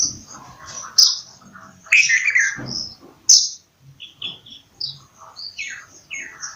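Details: Bulbul delivering loud chirped phrases at first, then a series of short, slurred whistles repeated about once a second, with some low rumble and clicks underneath.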